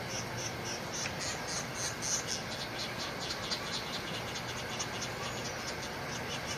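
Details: Northern Flicker chicks calling their mother while being fed, keeping up a rapid, buzzy, insect-like chorus of high pulses, several per second, over a steady background hiss.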